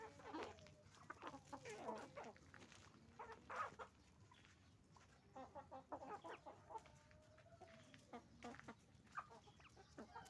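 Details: A chicken farm flock of roosters and hens keeps up steady noise, irregular clusters of clucks and cackles rising and falling, with a drawn-out wavering call in the middle.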